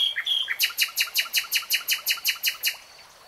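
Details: Common nightingale singing: a fast series of about a dozen sharp, broadband clicking notes, evenly repeated roughly six per second, opened by a few higher chirps and fading into quiet.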